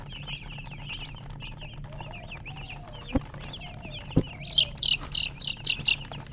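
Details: Colored baby chicks chirping: a steady stream of high, thin peeps and short rising-falling chirps, several birds at once, with a few louder sharp calls near the end and a couple of knocks.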